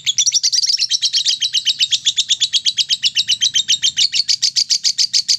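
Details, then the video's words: Lovebird ngekek song, played to spur other lovebirds into singing: an unbroken, high, scratchy chatter of crisp notes repeated about four times a second, briefly speeding up midway, over a faint low background hum. "PANCINGAN LOVE BIRD NGEKEK"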